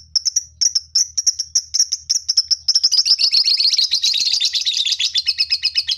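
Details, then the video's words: Colony of lovebirds; loud high shrill chirps repeated rapidly, first in separate bursts, then merging into a dense continuous chattering as several birds call together. "Lovebird koloni"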